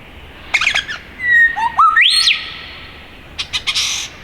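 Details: Male superb lyrebird singing as he flits between trees in the Dandenong Ranges east of Melbourne, Australia: a short burst of squawky notes, then a long steady whistle, a rising slur and a high trailing whistle, followed by buzzy chatter.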